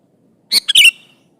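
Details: Sooty-headed bulbul in full, lively song, calling an opponent to draw other bulbuls into answering; one brief bubbly phrase of three quick notes ending in a short warbled flourish, with a quiet background.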